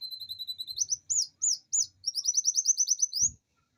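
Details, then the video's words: Domestic canary song used as a lure to stimulate lazy canaries to sing: high whistled notes, a few looping rising slurs, then a fast repeated trill of rising notes before stopping. "Pancingan kenari gacor ngerol panjang dan pancingan kenari malas bunyi pasti"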